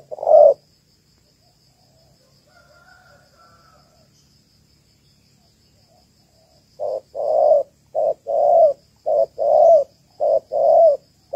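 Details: Female Malaysian-type spotted dove calling to stimulate males, ground-trap decoy; one loud coo, a long quiet stretch, then five steady pairs of low hooting notes, each a short note followed by a drawn-out one.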